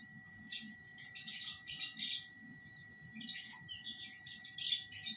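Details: Caged lovebirds during pairing, with cages placed side by side: soft, scratchy, squeaky chattering calls in irregular clusters over a steady electrical hum and low background rumble.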